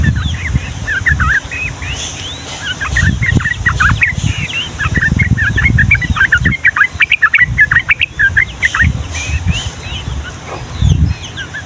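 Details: Long 'Ngombak Banyu' ropel song of the yellow-vented bulbul, for tutoring juvenile males and females: continuous tumbling chatter of short bubbling and whistled notes, bursts of rapid pulses, against intermittent low booming noise.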